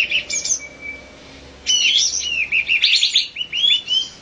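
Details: Olive-winged bulbul: a few sharp chirps, then a thin, steady whistle held for about a second, followed after a pause by a lively burst of rapid, slurred, rising and falling chirping notes.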